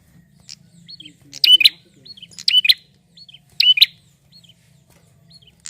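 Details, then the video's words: Male prinia kept to lure other birds into calling, giving loud, sharp, chirping bursts of high notes roughly every second, with short quiet gaps and faint softer twitters between. "PRENJAK JANTAN GACOR untuk pancing bunyi burung bahan"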